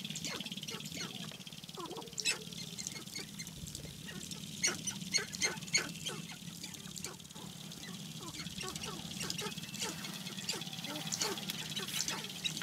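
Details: Sharp-tailed grouse males displaying for hens at a spring lek in Namekagon Barrens, Wisconsin: dense, irregular clucks and sharp cackling notes, with a steady low rumble of rapid stamping underneath and a constant hiss.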